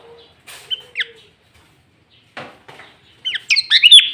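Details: Sooty-headed bulbul in loud 'gacor' singing meant to lure other bulbuls, filled with green leafbird phrases; scattered chirps early, then a dense burst of bubbly, slurred, warbling notes at the end, over a faint steady low tone.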